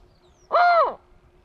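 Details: A single bateleur call: a strong, nasal, rich-toned bark lasting roughly half a second. Its pitch bows upward and then drops away, against a quiet background.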